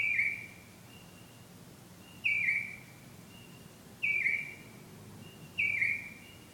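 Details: Nighttime bird song: a bright whistled note that dips downward, repeated about every one and a half to two seconds, four times, with a low steady hum beneath.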